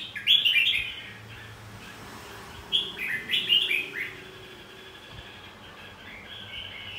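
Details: Red-whiskered bulbul fighting song, played to stimulate singing and fighting-style song in caged birds; two bursts of bright, warbling whistled phrases near the start and middle, rising and falling, over a quiet background with faint low hum.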